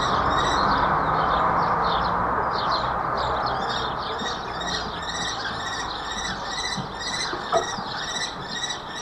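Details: Common kestrels during mating, recorded 26 April 2021 in the late afternoon at Babenhausen-Harpertshausen: rapid, regular shrill chattering notes about two per second, harmonic and strident, building in the second half with a steady hiss behind.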